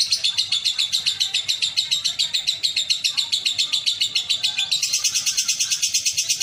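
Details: A competition lovebird, a class winner at a bird show in Betung, Banyuasin, Palembang, sings a long, rapid run of shrill, buzzy chirps, packed densely and high-pitched, with no break through the whole passage.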